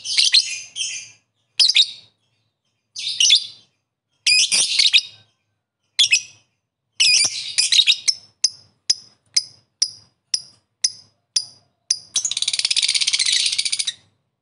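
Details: Lovebird calling out to rivals: harsh chirp bursts, then a steady series of thin high peeps about twice a second, ending in a long dense buzzing chatter.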